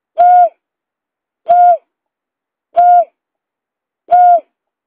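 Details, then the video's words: Buttonquail lure call used to attract birds: four short, hollow, steady-pitched hoots spaced about 1.3 seconds apart, each slightly falling at its end, over a clean silent background. "suara pikat berkik"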